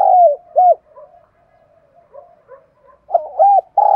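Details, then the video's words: Decoy spotted dove calling at morning to attract wild doves: short hooted coos at the start and end, with soft muttered notes filling the middle. "tiếng cu gáy mồi gáy gọi bổi nhanh nổi kích bổi và tập mồi buổi sáng"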